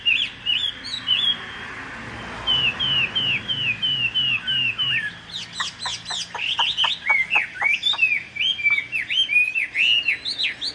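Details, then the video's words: Caged Chinese hwamei, top 10 at Thanh Trì in 2019, sings a long varied song: a steady string of repeated upslurred whistles, then sharp clicking strokes and rising whistles delivered rapidly. "Họat Họa Mi"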